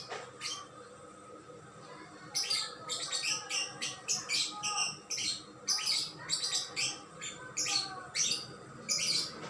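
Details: A songbird singing in bursts of sharp, high chirps and rapid twitters. The bursts begin after a quiet opening and recur in short bouts about every second, over a faint steady hum.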